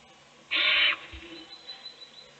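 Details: Owl in a nest box feeding a chick while the other chicks sleep; one loud, breathy rasping hiss of about half a second, followed by a soft low thump.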